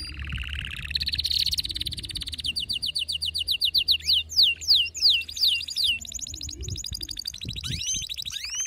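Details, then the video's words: Male canary in excited song to trigger other canaries' singing; opens with a harsh noisy burst, then fast repeated high slurred notes, a quick descending series, and rising whistles. "هيجان ذكرى كناري سيجبر كناريك على التغريد فورا"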